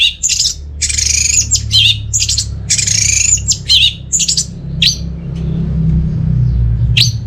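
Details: Orange-headed thrush in energetic song meant to draw silent birds into singing: loud buzzy, scratchy bursts mixed with twisting whistles and sharp chips, fading to a few isolated notes over a low hum.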